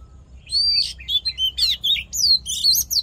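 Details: Oriental magpie-robin fighting song used to stimulate males and train the voice: rapid varied phrases of clear whistles, sharp upslurs and downslurred notes, delivered in bursts about every quarter second after a short quiet start.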